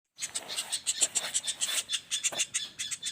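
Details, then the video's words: Juvenile common flameback calling non-stop in rapid rolling style: a burst of high, scratchy, irregular notes about three per second, some louder and clearer than others, with no other clear sounds. "Suara Pelatuk Bawang Anakan Roll speed tanpa jeda"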